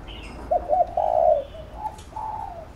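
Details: Spotted dove cooing to train a decoy bird: a short double note and a long steady coo, followed by two softer, fainter coos.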